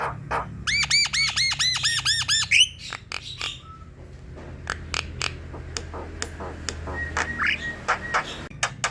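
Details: Black-winged myna singing energetically, used as a lure to get a lazy bird singing: a fast run of about ten arched, ringing notes, then scattered dry clicks and a short whistle, with a steady low hum underneath.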